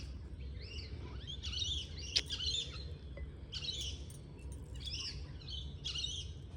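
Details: Australian king parrot (Alisterus scapularis) calling in a garden: bursts of high, shrill chirping notes clustered roughly every second over a low background rumble.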